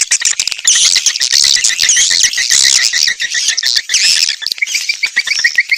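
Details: Swiftlets calling in a hi-fi lure track made to attract the birds: a steady run of short chirps, roughly two per second, under a dense, bright twittering chorus and crisp clicks.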